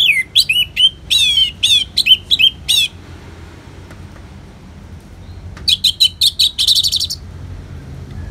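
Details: Orange-headed thrush in ngeplong song, mixed with rain: a fast run of sharp, clear whistled notes, then a quiet pause, then another burst of rapid, slightly buzzier notes, with soft low rumble beneath.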